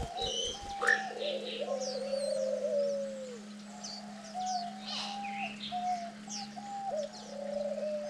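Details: Diamond dove parents busily feeding chicks on the ninth day of rearing; gentle low coos, a drawn-out falling one early and shorter notes later, with high twittering from other birds and a constant hum.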